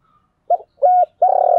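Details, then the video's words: Cooing decoy spotted dove, meant to draw wild doves to call and fight. A short coo, a level sustained coo, then a loud, slightly throbbing coo, each clear and hollow-toned. "chim cu mồi thúc gù gáy gọi dùng kích bổi nhanh nổi gù"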